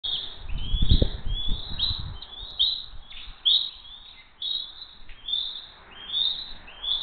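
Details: Bald eagles of the Hays eagle family flying in for dinner on 22 June 2023 at 19:33, giving a series of high, thin, piping chirps, each with a slight rise and fall, repeated steadily over low rumbling wind and wingbeat noise.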